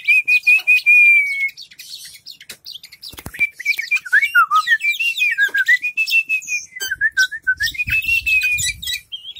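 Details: Oriental magpie-robin in a private collection, tail fanned open while singing: a long varied song that opens with a sustained whistle, then runs into looping up-and-down whistled phrases mixed with sharp clicks and chatter.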